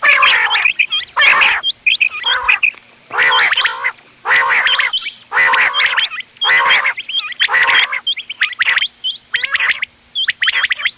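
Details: Quail calls, a mix recorded 31 October 2025 for hunting use: harsh, buzzy bursts with ringing harmonics, repeated about once a second in uneven rhythm, overlaid with thin, sharp, high whistled notes.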